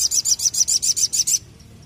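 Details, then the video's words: Olive-backed tailorbird (sogon) delivering a rapid, evenly pulsed series of about ten very high, buzzy notes lasting under a second and a half, then stopping abruptly. "MASTERAN SOGON GACOR NEMBAK ngleper istimewah"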